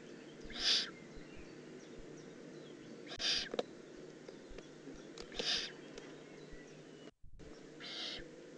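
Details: Juvenile Eurasian eagle-owl, Eifel, 18 June 2016, giving four short, rough hisses spaced two to three seconds apart, with a brief dropout in the background noise near the end.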